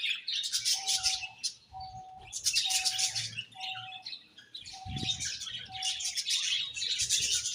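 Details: Budgies keep up nonstop high chirping and warbling in loud bursts. A steady, lower electronic-sounding beep repeats about once a second beneath the chatter.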